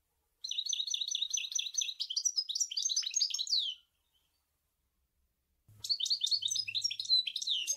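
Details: Goldfinch song in the sour el gouzlane style: a long run of rapid, liquid trilled twitters lasting about three seconds, then silence, then another fast jangling burst of high chirps.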